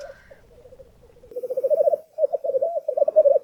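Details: A black grouse lek at dawn in Sweden: many birds bubble and coo in an overlapping, low, rolling, dove-like warble that swells louder halfway through.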